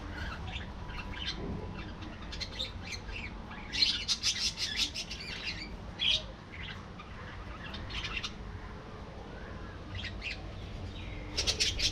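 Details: Budgerigars chattering in an aviary colony, rapid scratchy chirps and squawks in irregular clusters from several birds, with louder bursts around the middle and end.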